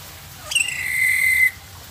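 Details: Black-capped lory, a talking bird that says "selamat sore" (good afternoon) and "selamat pagi" (good morning); here a single clear whistled note, briefly rising at the start, then holding a steady pitch for about one second.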